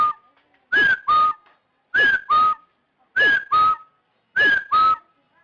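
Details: Rufous-throated partridge call used as a trapping lure: paired whistles, a bright arched first note followed by a lower, level second note, the pair repeated about every 1.2 seconds over a quiet background.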